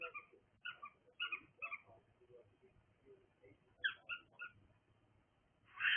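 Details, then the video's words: Cockatiel chirping steadily, short harsh two-part notes repeated about twice a second, a brief quieter stretch, then more quick chirps and a louder burst at the close, over a low hum. "cockatiel making noise"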